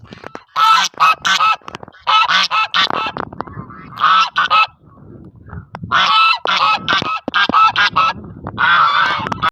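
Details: Goose honking repeatedly: bursts of loud nasal honks in groups of three to five, with short pauses between bursts and some lower rustling sounds.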